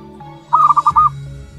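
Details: A one-month-old local wild-type zebra dove chick gives a quick run of four or five soft, mellow cooing notes at a steady mid pitch over a low background hum.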